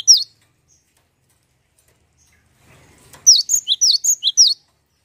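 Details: Lure song of a cinereous tit, meant to set other birds singing: one short high note, a long silence, then a quick burst of about seven bright notes swinging between higher and lower pitch.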